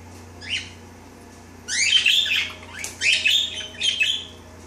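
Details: Pet parakeet during her daily bath, with a whitish mate briefly trying the water; one faint chirp, then bursts of scratchy chattering chirps in three clusters over a low steady hum.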